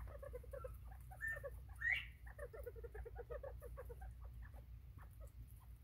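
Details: Bobwhite quail, 24 September 2023: one brief flat whistle then a rising whistled note, surrounded by many soft, quick chips and clucks from birds close together, over a constant low background rumble.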